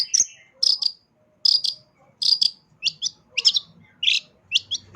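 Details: Long-tailed shrike in lively gacor song, full isian style, suited as a vocal tutor for pet songbirds: short bright chirps and twittered notes in quick clusters, separated by brief pauses, with no other clear sounds.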